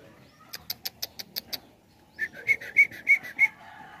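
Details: Song of a sooty-headed bulbul from a young-versus-adult comparison: a row of sharp ticking clicks, a short pause, then six ringing, whistled notes at an even rhythm.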